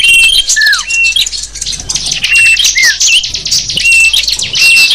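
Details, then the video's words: Chorus of small birds played to lure wild small birds: thick high-pitched chattering with scattered clear whistles, several short downward-slurred notes, and brief dips in loudness between bursts. "Suara kicau burung kecil sang burung sapu jagat ampuh memikat"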